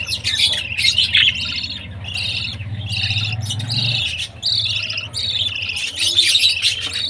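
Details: Budgie chick chirping at food time: repeated harsh, buzzy chirps in bursts under a second long, fairly steady through the clip, with a low rumbling hum behind.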